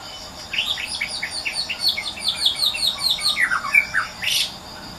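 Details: Wild white-rumped shama, song delivered insistently in natural habitat: a rapid stream of short, bright chirped and whistled notes, steady at first, then dropping into lower slurred notes, ending with a sharp high note. Constant insect drone behind.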